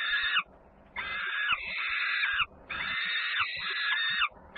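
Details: Peregrine falcons at Włocławek, Poland, on 3 June 2010 around feeding time, as the young sister Luna returns home with much noise: harsh, drawn-out screaming wails of about a second each, repeated in quick succession, over a faint low rumble.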